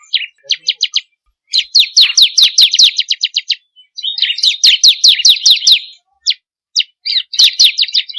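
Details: Bar-winged prinia song played to get kept birds singing: short high ticking notes, then long rapid runs of sharp falling notes, with scattered single chips between phrases.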